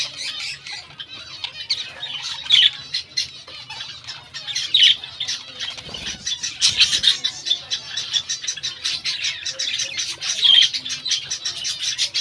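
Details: Several budgerigars in breeding season chatter nonstop in high, scratchy warbles and sharp squawks.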